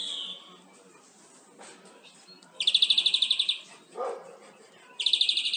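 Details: European greenfinch song used to tutor captive birds; after a soft opening note, two loud fast rattling trills about a second long, with a low chirp between them.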